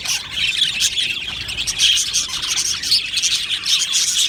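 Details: Budgerigar colony in an aviary giving a lively chorus of high chirps and tweets, several clear sharp notes popping out over the continuous warbling background.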